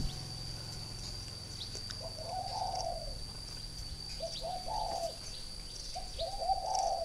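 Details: Caged spotted dove from northern Vietnam, a three-year decoy, uttering three hollow cooing phrases about two seconds apart, each rising slightly then trailing off, over a low hum and thin high whine.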